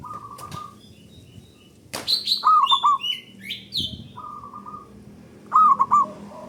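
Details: Local zebra dove (perkutut lokal) with a loud, long, big voice, used as a lure to stimulate other doves to sing: short steady mid-pitched coos and quavering trilled notes in bursts, mixed with high, bright chirps from other birds.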